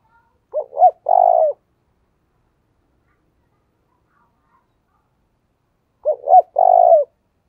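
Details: Spotted dove calling as a decoy for wild doves: two identical phrases about five seconds apart. Each has two quick notes, then a longer low coo, with silence between.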